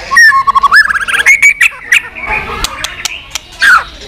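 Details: White-rumped shama clicking nonstop to stir up weak-spirited birds; opens with a quick rising series of whistled notes, followed by steady high whistles, sharp clicks and a final downslurred note.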